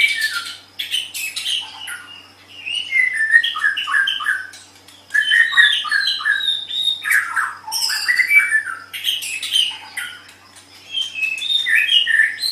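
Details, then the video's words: Continuous white-rumped shama song for training captive birds to sing. Long, varied bursts of quick chirps, clicks, whistles and harsh notes come in rapid succession, with short gaps between. "MASTERAN GACOR - Suara Burung Murai Batu"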